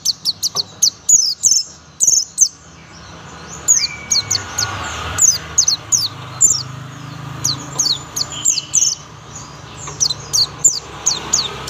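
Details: Young oriental white-eye singing in the 'tembakan' style: rapid bursts of very high, sharp, downward-slurred chirps, clustered in quick runs with short pauses, over a low steady background hum.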